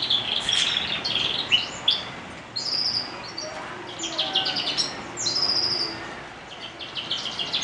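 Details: Canary singing in the morning: rapid high twittering trills and bright whistled phrases, with steady notes and quick rolls repeating throughout, over a faint low background hiss.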